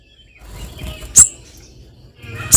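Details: Female spiderhunter calling to a male: two sharp, very high, explosive notes about a second and a half apart over low background rumble.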